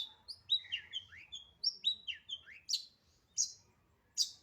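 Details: Long-tailed shrike in full 'isian' song: quick slurred whistles sweeping up and down in a varied phrase, then single sharp chips spaced about half a second apart.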